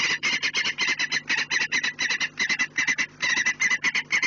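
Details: Peregrine falcon at its nest on the Orlen chimney in Poland, 4 March 2019 at 16:28, giving harsh rapid kek-kek-kek calls in a fast continuous series of about six per second, with a steady low hum behind.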